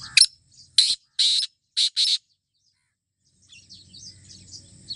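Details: Black francolin giving a loud, harsh, grating call of five rasping notes in uneven rhythm, followed by silence and then faint twittering of small birds with a low background hum.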